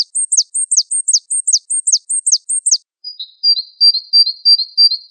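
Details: Java sparrow tutor song: quick high phrases, each a flat note dropping into a steep downward sweep, repeated briskly, then an abrupt switch to a thin, level piping series of short high notes.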